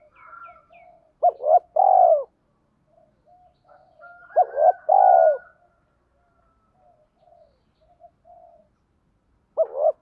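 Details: Spotted dove, thổ-pha-đồng voice, cooing to excite decoy birds. Two phrases, each of two quick hooked notes and a longer low coo, are separated by quiet murmuring. A third phrase begins at the end.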